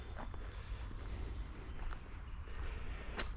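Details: No animal sound is heard; quiet footsteps and soft rustling sit over low rumbling background noise.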